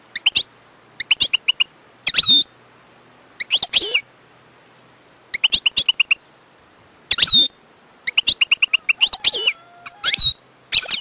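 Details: Wild European goldfinch singing: bursts of quick, high twittering notes and short buzzy trills separated by brief pauses, with clear sweeping whistles between phrases.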